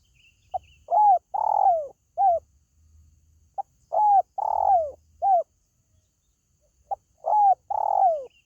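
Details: Spotted dove calling, used to draw in pet birds: three repeated phrases of a clipped note, a curved coo, a long burry descending coo and a short closing coo, roughly every three seconds.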